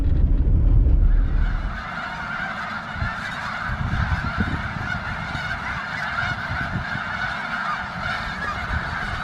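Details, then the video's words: A distant flock of thousands of snow geese at Bosque del Apache Wildlife Refuge, New Mexico, in early winter morning around sunrise, keeps up a dense chorus of overlapping high honks over a low rumble of wind or engine. "I could hear thousands and thousands of geese in the distance."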